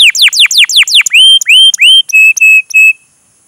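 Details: Canary singing a long, energetic chirping song used to prompt young canaries to learn and answer; rapid downward-swept chirps, then rising whistled notes, then a series of steady flat whistles, all very loud and clean.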